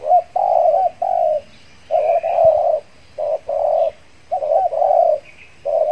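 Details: Decoy spotted dove from the Riau Islands, Indonesia, used after its moult to lure wild doves; repeated phrases of rough, mid-pitched coos, each phrase two to three notes with short gaps.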